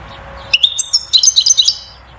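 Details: European goldfinch singing a vigorous song to stimulate the female toward mating and nest building; a quick run of bright, high twittering notes with sharp rising chirps, over a faint low hum.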